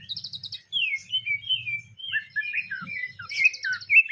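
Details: Greater green leafbird in isian gereja style, its song carrying imitated sparrow phrases: quick high chattering trills alternating with clear slurred whistles, rising and falling, with a faint low background hum.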